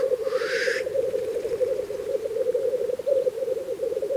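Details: Black grouse lek in Russia in spring: an unbroken low bubbling chorus throughout, opened by a loud rising hissing sneeze from a displaying male.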